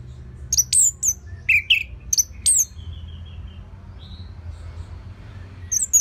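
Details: Orange-headed thrush song meant to lure other birds into singing: a quick sequence of high, sliding whistles and short chirps, then a pause with a faint note, before the phrase starts again.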